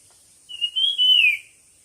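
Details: Whistled competition song from a bird: one loud phrase of a short level note, a higher slurred note and a drawn-out descending whistle, background quiet.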